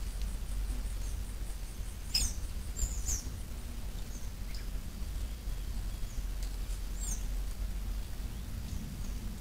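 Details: Flavescent warbler, two birds hunting insects and small arthropods on the banks of the Jiboia stream in rural Brazil, caught by a trail camera: a few sharp, high chirps at irregular intervals over a steady low rumble of background noise.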